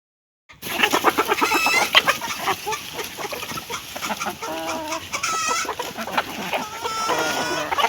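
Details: Hens clucking while eating food: a busy stream of short, rough clucks and pecking clicks, with a few higher drawn-out squawks and harmonic notes rising above.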